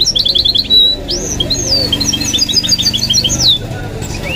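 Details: A pet goldfinch mule sings a lively medley of high chirps, rising and falling whistles and short trills, with low background Arabic commentary and music.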